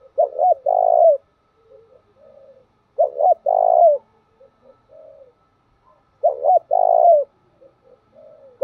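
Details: A decoy spotted dove gives low, hoarse cooing phrases, each ending in a drawn-out coo, repeated about every three seconds.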